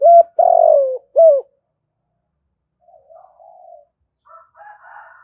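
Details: Spotted dove kept as a lure to call wild doves gives one full coo phrase ending in a long descending croon and short final note, followed by soft, faint warbling murmurs.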